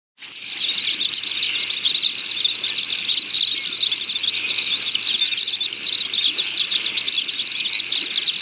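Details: High-pitched, unbroken trilling from a little stint, a fast even stream of thin twittering notes lasting around eight seconds with slight pulses in loudness.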